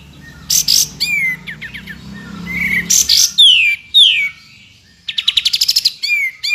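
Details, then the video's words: White-rumped shama tembakan, recorded to train a champion bird: harsh bursts and quick chips over a low background hum, falling whistles, then a fast run of roughly eight clipped notes and a final whistle. "MASTERAN TEMBAKAN YANG WAJIB MASUK KE ISIAN MURAI BATU JUARA"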